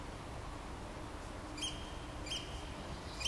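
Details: Eurasian oystercatcher calling in 2015: two clear, shrill piping notes about 0.7 seconds apart, with a third note starting at the very end, set against a quiet rumbling background.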